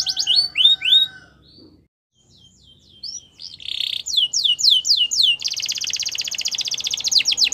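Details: Canary champion training song: a few falling whistles, a near-silent pause, then a buzzy burst, quick descending notes and a long dense rattling trill.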